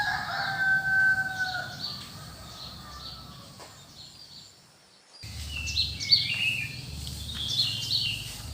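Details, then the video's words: Early morning birds in cool countryside: a clear, steady whistled note with lower tones opens, fades into quiet, then a busy mix of high chirps and twitters resumes over a low rumble. "The atmosphere and sound of early morning birds in the cool countryside."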